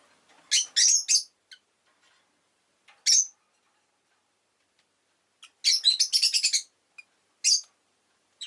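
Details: Rosy-faced lovebird producing bursts of grating, high chirps, a tight cluster early, a single sharp note, then a long rapid chatter.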